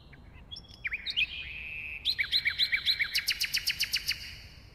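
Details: Singing common nightingale delivers scattered chirps and swooping notes, then a fast, regular run of paired rising notes that shifts into a quicker rattle of sharp repeated strokes, about four per second and more, clean and loud.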